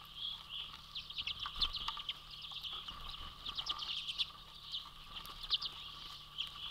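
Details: A large flock of common redpolls at feeders in Manitouwadge, Ontario, in February keeps up a constant high chatter of quick, dry twittering chips and short buzzy notes, several birds overlapping, with a low steady hum beneath.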